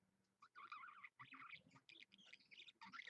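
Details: Budgerigar kept as a pet, streamed live at 7 AM on Monday, 16 February 2015. Short, nasal chirps and squawky warbled notes come in bursts broken by brief silences.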